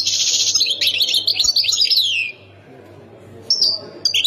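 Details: European goldfinch, Khemis Miliana sector style from Ain Defla province, delivering a loud, rapid, tinkling warble of sliding high notes, then a short pause and a brief liquid phrase, with a constant low hum beneath.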